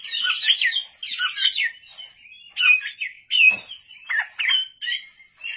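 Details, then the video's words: Oriental magpie-robin (kacer) singing vigorously at night in separate short bursts of harsh, buzzy chatter and whistled notes, each about a second long, with small gaps between them. "pancingan kacer gacor malam hari"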